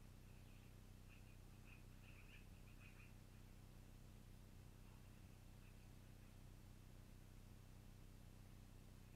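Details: Long-eared owl at its nest, recorded around 21:00 on 12-04-2018: a quick run of short, squeaky high calls clustered in the first three seconds, then a few fainter ones, over a constant low hum.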